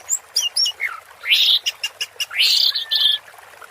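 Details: Anis merah, the orange-headed thrush, in 'teler' song with water therapy: sharp high chips, a falling whistle, then loud buzzy rasping phrases and a thin level whistle, over faint steady hiss.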